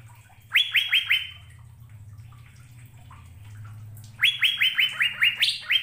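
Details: Short sequences of sharp, upswept whistles from an Asian fairy-bluebird, a brief phrase then a longer one a few seconds later, over a noticeable low rumbling hum.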